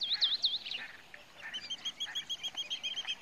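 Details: Pied Kingfisher in Kruger Park, South Africa, giving three loud, sharp squeaky notes, then after a short pause a steady, rapid series of high chips repeated about five times a second.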